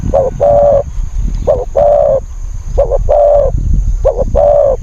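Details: Decoy spotted dove for luring wild birds, cooing in regular phrases of a quick double coo and a long mellow coo, four phrases in a row, over a low rumbling background.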